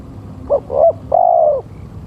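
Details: Lure call of a male spotted dove: one three-part phrase of mellow coos, two short notes followed by a long, level, slightly falling coo lasting about half a second, with a quiet low hum underneath.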